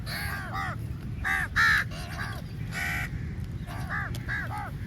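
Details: Crow flock at feeding time rushing the food: a series of harsh, arched caws from several birds, some loud and close, others fainter, with a low rumble of background noise.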